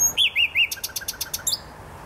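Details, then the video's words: Nightingale singing in the Botanical Garden in Poznań: three slurred, arching whistles, then a quick run of about eight short clipped notes, ending on a sharp high note. "Wyjątkowy śpiew słowika."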